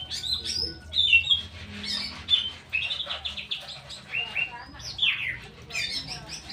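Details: Captive straw-headed bulbul in a continuous, dense, bubbling warble of short slurred notes, many falling, strung together without pause; low background hum.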